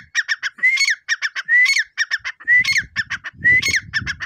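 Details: Grey francolin calling loudly: each phrase opens with a rising whistled note, followed by a run of harsh, clipped triple notes, repeated about once a second. Faint low rumbling in the second half.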